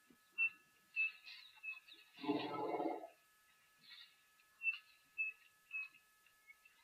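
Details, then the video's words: Chinspot Batis at a waterhole on 9 December 2023, around a thunderstorm: short, clear whistled notes repeated about every half second to second, broken partway through by a brief low rumbling burst. "You can hear a chin spot batis."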